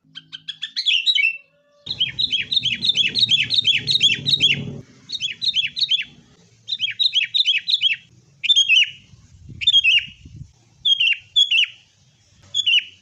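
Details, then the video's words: Sooty-headed bulbul fighting lure song meant to make caged birds sing readily: a fast rattling string of bubbly chirped notes, then shorter phrases of two or three whistles with gaps, low murmur underneath early on. "kutilang gacor TARUNG buat pancingan kutilang agar bunyi"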